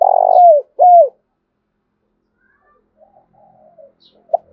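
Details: Spotted dove used as a lure bird, cooing to stir wild doves into answering. A loud, hoarse rolling coo is followed by a clear falling note, then silence with faint distant cooing near the end.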